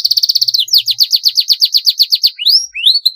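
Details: Canary singing a long rolling master song: a fast trill of repeated notes flows into a long chain of evenly spaced swooping slurs, then two rising whistles.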